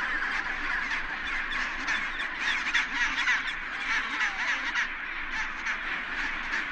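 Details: Penguin colony where males are incubating eggs; a steady roar of countless overlapping harsh, honking calls, none standing out clearly, forming a continuous wall of sound.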